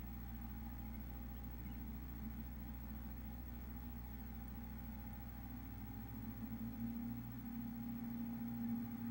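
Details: Low idling engine hum with steady droning tones and no animal sounds.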